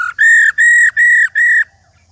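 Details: Female white-browed laughingthrush, an old wild bird, giving its 'rò' call, which is used to rouse males into full song: four loud, level whistled notes with bright overtones, each about a third of a second, evenly spaced, then silence.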